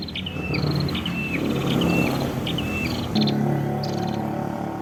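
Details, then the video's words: Red-headed prinia in lively song in Padas, Ngawi, East Java: loud, fast sequence of descending whistles each preceded by a buzzy rattle, about four phrases in two seconds, then harsher buzzes, over dense low background noise. "mp3 Suara Prenjak Kepala Merah Gacor cocok untuk masteran atau pikat"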